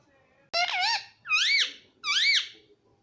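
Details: Pet parrot saying "mummy papa" indoors, three clear harmonic syllables about two-thirds of a second apart, each sliding down then up like a spoken word.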